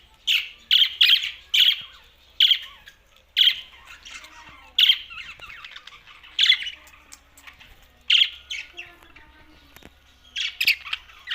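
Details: Budgerigars, pet parakeets, giving loud harsh squawky chirps in spaced bursts about one to one and a half seconds apart, with faint soft chatter between.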